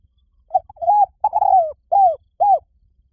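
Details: Spotted dove giving one cooing phrase: a quick short note, a longer drawn-out coo with a falling slur, then two separate arched coos evenly spaced, with a quiet background.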